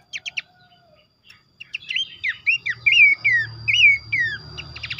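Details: Horsfield's babbler lure recording: three quick chirps, a near-silent second, then a burst of rising-and-falling whistled notes about once a second, ending in rapid sharp chirps, over soft low hum.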